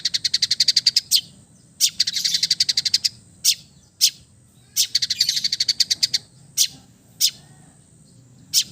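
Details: Relaxed song of an East Java long-tailed shrike, rich in imitated phrases and meant as therapy for quiet birds; fast buzzy rattling trills lasting about a second, alternating with single sharp clicks.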